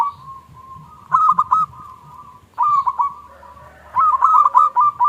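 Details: Zebra dove, a local bird, giving its small 'klung' lure song, meant to set off doves that have stopped singing. Three short bursts of quick cooing notes are joined by a faint, steady, soft tone.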